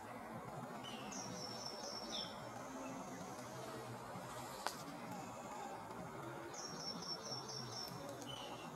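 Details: An Asian green bee-eater in Sindh, Pakistan, gives two quick bursts of five or six high, thin chirps that trill slightly downward, over a steady hiss with one sharp click.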